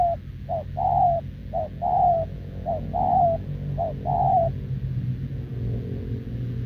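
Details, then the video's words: Wild-caught, short-legged spotted dove, kept caged, cooing continuously with a decoy bird, 6 November 2024. Short note then a longer falling coo, four pairs about a second apart, then quiet, over steady low hum. "Bổi đồng chân lùn | Bo mình chắc đẹp | gù liền với mồi Đồng TT"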